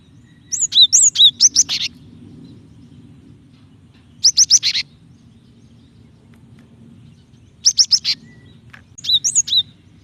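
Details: Calling female Java sparrow, whose call is used to draw out singing from males, gives short clusters of rapid high chips and slurred tinkling notes, four bursts spread over ten seconds with quiet gaps between, low background hum.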